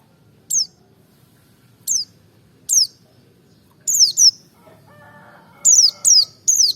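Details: Merapi white-eye song, played to stir other white-eyes into singing: sharp high chirps sweeping downward, spaced about a second apart, then a quick cluster of three near the end, with a faint lower rattle in the middle.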